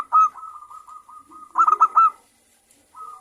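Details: Vocal local zebra doves: a hollow whistled note trails into a level tone, then a quick cluster of louder clipped notes, a pause, and another soft whistled note.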